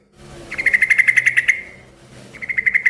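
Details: A rapid, even trill of bright chirped notes lasting about a second, then a shorter repeat after a pause, sung by a yellow-vented bulbul whose noisy song sets other bulbuls answering.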